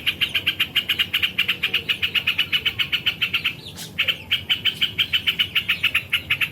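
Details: A yellow-vented bulbul gives a long, rapid train of sharp chip notes, about five per second. The train breaks briefly near the middle with a short rustle, then resumes at the same pace.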